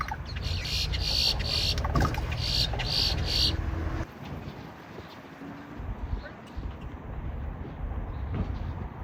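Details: Grackles at a Walmart, recorded on an iPhone, making dial-up-like noises: steady high electronic tones that pulse on and off for about three and a half seconds. Heavy traffic rumble runs throughout.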